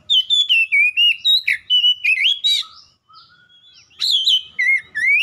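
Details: Oriental magpie-robin delivering a fast run of varied whistled notes, rich and slurred, around two per second, then a brief quiet gap with faint soft whistles before another loud burst of rising phrases.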